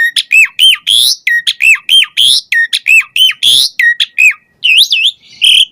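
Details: Asian pied starling singing vigorously with a varied, mimicry-filled song used as a lure for captive starlings: rapid run of repeated down-slurred whistles and buzzy squawks, about fifty notes a minute, with a few wavering whistles near the end.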